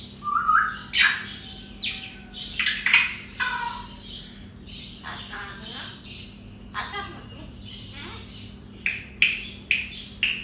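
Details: Grey parrot said to speak the greeting Assalamualaikum, producing voice-like syllables and harsh squawks in clusters, an opening whistled note, then scattered rasping calls and clicks, indoors in a small room.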